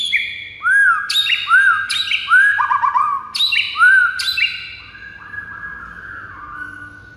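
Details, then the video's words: White-rumped shama song played to provoke silent rival birds into singing: arched whistled notes repeated about every second, mixed with higher sharp slurs and a trailing lower buzzy phrase. "pikat Murai batu lawan yang MACET jadi NGAMUK"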